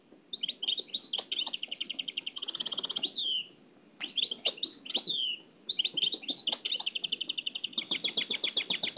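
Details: Oued El Alleug style nightingale song, copied from an old cassette. Rapid clicking notes give way to a sustained high whistle, a harsh buzzy rattle, a pause, then more phrases of fast, piercing repeated notes.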